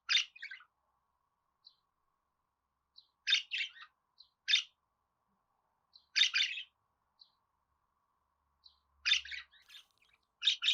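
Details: Budgerigar chatter for pet birds to answer: short scratchy chirp pairs and clusters spaced a second or more apart, with faint ticks between.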